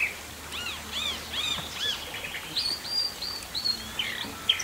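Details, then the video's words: Brazilian chalk-browed mockingbird song: a string of arched, rising-then-falling notes repeated several times, then thinner whistled slurs, over constant outdoor noise. "O canto do sabia-do- campo"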